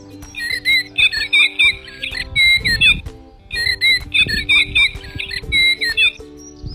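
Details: Male common blackbird sings rich, fluty warbled phrases in two near-identical bouts; a wood pigeon coos in the background over a steady low hum.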